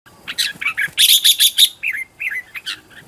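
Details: Red-whiskered bulbul used as a decoy to lure wild birds, trained at home to sing fiercely in competition; rapid run of bright chirps and warbled whistled phrases, loud clustered notes then rising and falling slurs.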